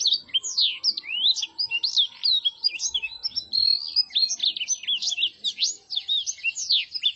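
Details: A blackthroat delivers its smooth, gentle song as an unbroken, rapid warble of high chirps, trills and sliding whistles, growing denser and more tumbling toward the end.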